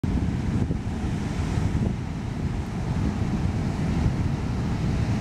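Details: Strong wind buffeting the microphone over a low roar of surf near Lima, Peru, in April; no bird calls come through.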